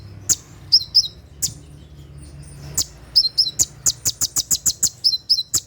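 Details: Kolibri ninja sunbird singing its 'tembakan' song at night, used for tutoring and training caged birds: sharp, very high ticking chirps, some in quick doubled notes, speeding into a rapid even series of about a dozen clicks near the end.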